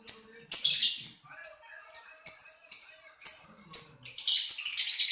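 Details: Lovebird chirping busily, with rapid sharp, shrill squeaks repeated more than twice a second in irregular runs, ending in a dense buzzy chatter.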